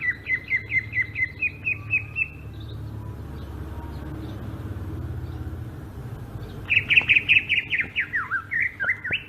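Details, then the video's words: Sumatran cucak ijo, the greater green leafbird, in ngerol rolling song: a fast string of short falling whistles, a pause filled with low rumble, then a louder burst of jumbled slurred and zigzag notes. "kicau burung cucak ijo sumatra ngerol"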